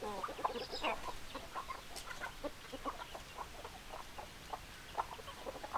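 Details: Chickens give scattered, clipped clucks and brief squawks, one bird louder early on, over a low, steady background of softer flock chatter.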